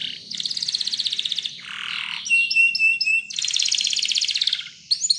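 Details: Spanish Timbrado canary singing for training: a dense rattling trill, a lower buzzy burst, a steady pure whistled tone with clipped notes above, then another fast trill.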